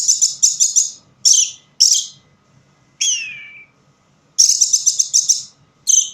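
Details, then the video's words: Orange-headed thrush in a dimly lit spot gives quick repeated scratchy high notes, a falling sweep of whistles, then another rapid series of loud harsh chattering notes. "Burung Anis merah bunyi tanpa bayangan"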